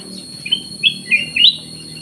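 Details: Black-crested bulbul singing actively in an aviary: four short, clear whistled notes, some rising and some slurred, spaced about a third of a second apart, over a steady high electronic tone.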